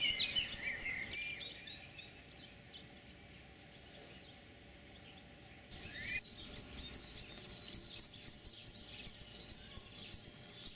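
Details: Among olive branches in spring, a European serin gives its courtship song: a bright, tinkling, high jingle. The song breaks off, leaving a few seconds of quiet, then resumes as rapid, rhythmic bursts of very high notes.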